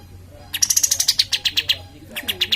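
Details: Cream-vented bulbul, known locally as kapas tembak, singing actively as a lure to stimulate other birds: a rapid run of about fourteen bright, clipped high notes, then a short pause and a few more notes.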